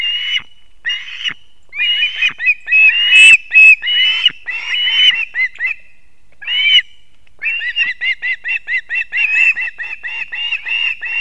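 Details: Ospreys at their nest in Kurzeme, Latvia, early morning of 3 September 2024, as the male brings two fish to the chicks; piercing whistled squeals in irregular bursts, then a fast run of short chirping notes, about two or three a second.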